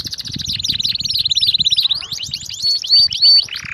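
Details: Nonstop canary song for training other canaries: a fast rattling trill of repeated notes, then looping swept notes and a few pure sustained whistles, with faint low background noise.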